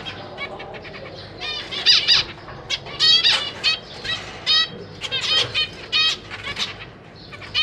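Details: Zebra finch parents feeding three juvenile and three newborn chicks in a cage, 4 May 2023; clusters of strong nasal, harmonic toy-trumpet beeps from several birds, repeated in quick groups with brief lulls.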